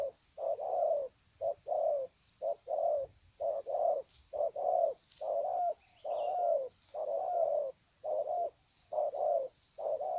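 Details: Greeting coos of wild spotted doves, Sê San, 21 February 2020: a steady chain of soft hollow coos in paired short-long units, about one per second, with a faint high insect drone behind.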